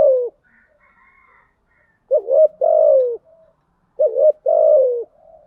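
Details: Spotted dove cooing to lure other doves: the end of one long falling coo, then two full phrases of wavering double notes and drawn-out descending coos, with faint high chirps early on.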